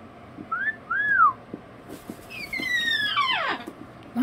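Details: Pet cockatoo indoors during a sleet storm, whistling two short rising-falling slurred notes, then a longer descending multi-harmonic whistle that sweeps downward, ending in a brief low squawk.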